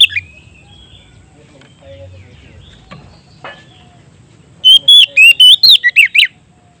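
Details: Oriental magpie-robin calling a rival. After several seconds of near-silence with faint murmuring, a burst of loud, rapid whistled phrases begins, about eight twisting, slurred notes in quick succession.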